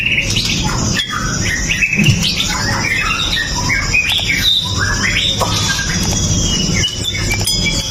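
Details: White-rumped shama of the pastol kind, sung to set other shamas off; recorded on a Xiaomi Note 8 Pro. A dense, scratchy medley of harsh squawks and tumbling whistles, with one low thump.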